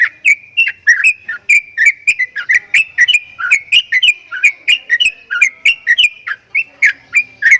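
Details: Javan myna making strange sounds, a steady fast series of short clicky whistled notes, about three per second, each note dipping or rising slightly around the same pitch.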